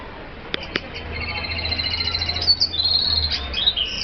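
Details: F1 red siskin from Colombia breaks into a twittering song of fast high chirps and buzzy trills after two sharp clicks, with a faint low hum beneath.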